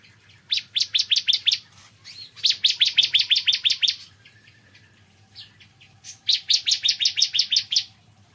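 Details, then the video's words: Bar-winged prinia in the morning, giving three fast runs of eight to twelve bright, clipped chirps each, separated by brief pauses with a few softer notes. "Kicauan Ciblek Kristal Dipagi Hari"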